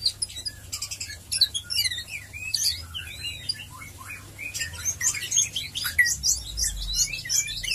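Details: White-rumped shama in ngeriwik ngeplong lure song meant to spur other shamas to sing; a lively jumble of high chattering trills, rapid twitters and short swooping whistles, densest at the start and in the final seconds, over a low hum.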